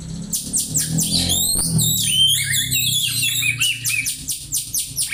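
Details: Oriental magpie-robin imitating house sparrow, used to tutor other birds: continuous fast series of high chirps and sweeping whistles, about two to three notes per second, over a low indoor hum.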